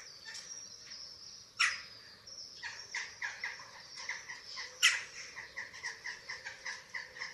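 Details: Eurasian eagle-owl nest webcam, Germany, 27 March 2024, chicks being fed. Soft, repeated squeaky notes punctuated by two sudden sharp shrieks.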